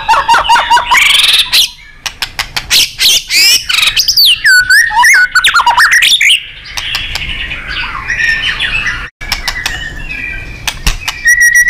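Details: White-rumped shama song used as a training recording for contest birds, in the busy 'gacor' and 'nembak' style: loud, fast mix of sharp clicks, bright rising and falling whistles, and chattering bursts with short pauses.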